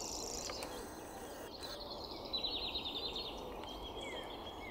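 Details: A grasshopper warbler at Pennington Flash, Leigh, on 28 April 2020 gives a high, dry, insect-like reel like a fishing reel running out, about two seconds long, behind steady background hiss.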